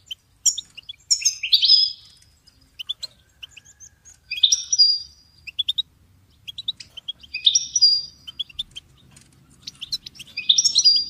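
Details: European goldfinch singing in bursts: crisp high ticking notes lead into rich buzzy twitters and short whistles, four phrases spaced a few seconds apart with silence in between.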